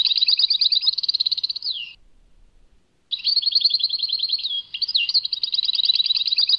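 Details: European goldfinch singing a Tadmait song: a dense buzzy trill ending in a falling slur, a one-second pause, then long rippling trills broken by quick up-and-down slurred notes.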